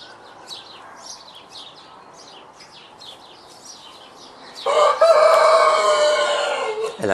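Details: Citron-crested cockatoo kept at a poultry farm: faint high chirps from other birds, then a sudden loud, harsh, raspy screech held for over two seconds; a person speaks nearby.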